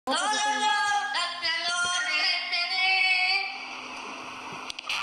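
Parrots sing in rich, voice-like tones, with sustained notes that slide upward into a wavering, song-like phrase lasting several seconds.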